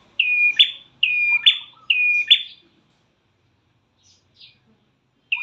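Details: Prinia call played as a lure to get caged birds singing: three quick whistled notes, each a level tone ending in a rising flick, then near silence with one faint note and a final call starting.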